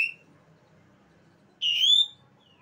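An Asian pied starling gives a clipped whistle, then a clear, slightly rising whistled note with a buzzy edge, over a faint low room hum.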